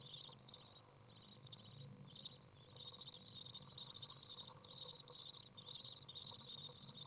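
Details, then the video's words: Young Common Swifts out of the nest on a very warm 30-degree day, a parent coming in to feed, recorded 27 June 2011: high buzzy trilling chatter in short bursts, swelling near the end, over a low steady hum. "Common Swift young out of the nest, warm, feeding"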